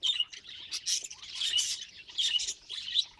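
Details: Pet budgie giving quick high chirps and warbled tweets in short clusters, some brief clear whistled notes among the rasping chatter, with pauses between bursts.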